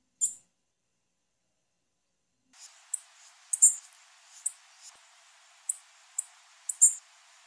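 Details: A lone high chip, then after a pause a run of quick, sharp, high-pitched notes at irregular intervals from a female blue-black grassquit, over a soft background hiss.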